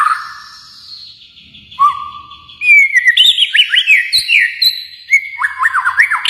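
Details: Kalimantan white-rumped shama: a soft whistle, then a brisk burst of loud slurred notes and chips rising and falling, closing with a quick run of downward whistles.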